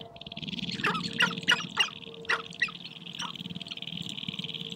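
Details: Sharp-tailed grouse gathered on a prairie hilltop in spring, dancing and fighting in a courtship display to attract females: sharp, clipped squawks and barks in an irregular cluster over a steady high-pitched background hum.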